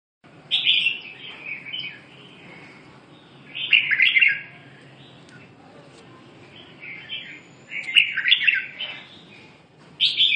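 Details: Red-whiskered bulbul singing short, bright warbled phrases. They rise and fall in pitch and come in four bursts separated by pauses of about two seconds. A faint low hum runs underneath.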